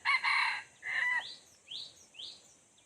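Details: Red junglefowl crowing while a decoy lures wild junglefowl in. A loud harmonic crow comes in two broken bursts. Three quick, thin, upward-sweeping chirps follow, each rising sharply.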